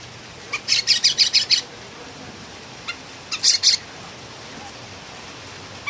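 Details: Pulanga, the Philippine bulbul, singing noisily: a rapid string of about seven harsh, grating notes, a pause with a couple of faint single notes, then a second short burst of three or four raspy notes.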